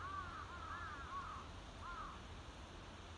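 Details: A young mute swan cygnet wintering in snow in Japan, apparently seeing snow for the first time, gives soft rising-and-falling whistled peeps: a quick run of four, then one more after a pause, over a low outdoor rumble.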